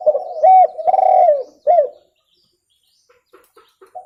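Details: Spotted dove, a clear lure recording: three loud mellow coos, the middle one long and rolling, then silence with a few faint clicks before a soft coo begins.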